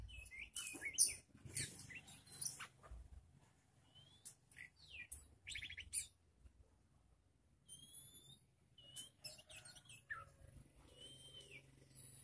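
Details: Young oriental magpie-robin tested for nerve beside other birds, delivering a varied run of harsh chatters, buzzy trills and clear whistled notes, some rising, in irregular phrases over faint low hum.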